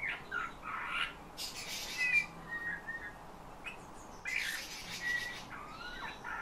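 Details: Eurasian bullfinch trained by its owner to sing, imitating the owner's whistling along with nightingale and thrush phrases. Short soft whistled notes, each held briefly, are broken by harsher creaky bursts, with gaps of quiet between phrases.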